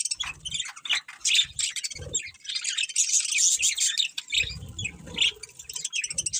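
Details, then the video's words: Pet budgerigars chatter continuously, with rapid high twittering chirps and buzzy warbles layered together and brief low thuds in between. "Beautiful Budgies Chirping Sounds"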